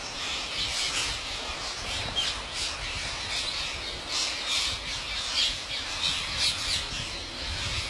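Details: A vast flock of wild parrots fed by an Indian farmer at his home squawking together, a constant harsh, high-pitched roar of overlapping screeches with no pauses.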